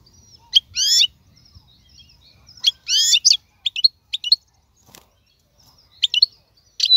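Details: Wild European goldfinch, 2022 season: scattered high twittering bursts and short buzzy trills separated by pauses, with isolated thin whistled notes, faint low rumble underneath.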